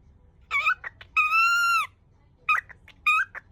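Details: Indoor cockatiel rushing to say the Japanese greeting "yoku kita ne" and failing to get to the end. Two clipped syllables lead into a long steady tone, followed by two more short squeaky word fragments.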